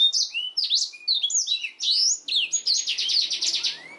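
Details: Black-throated canary in full gacor song for canary tutoring, clear sweeping whistles followed by a long, evenly pulsed high trill lasting about a second and a half.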